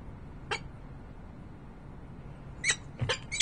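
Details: Peregrine falcon recorded in Harrisburg, Pennsylvania, 28 November 2020: a single rasping note, then a quick cluster of three or four harsh chups near the end, with low steady hum underneath.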